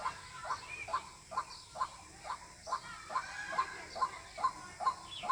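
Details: White-breasted waterhen, its call played to lure birds for hunting: crisp notes repeated at a steady, quick pace of about two per second, with faint hiss behind.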